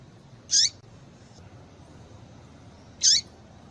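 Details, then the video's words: Female double-collared seedeater giving calls meant to excite a male: two short, high, bright chirps with a brief downward tail, about two and a half seconds apart, over a quiet low hiss. "Piado de Fêmea de Papa capim para Esquentar Papa capim"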